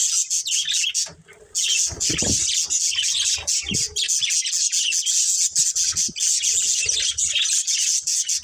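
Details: Budgerigar breeding pair chattering continuously with high, fast chirps and warbled twitters, with a brief quiet moment early and a few low knocks.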